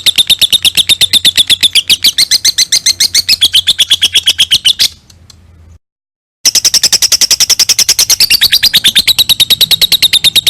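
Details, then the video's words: Lovebird ngekek song, a lengthy trill suited for tutoring other birds: a continuous stream of rapid, sharp, high-pitched chattering notes that breaks off for about a second and a half, then starts again just as fast. "LOVEBIRD NGEKEK - LOVE BIRD NGEKEK PANJANG COCOK BUAT MASTERAN"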